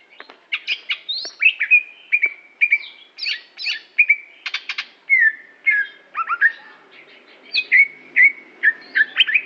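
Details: Greater green leafbird of Aceh singing a long, steady string of clear whistled slurs and chattered notes, each phrase about half a second apart, rich and varied.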